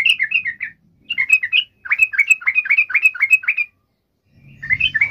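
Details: A yellow-vented bulbul sings a lure meant to call a rival, delivering quick strings of warbled, slurred notes in three phrases, the longest almost two seconds of steady repeated notes, with a low hum near the end.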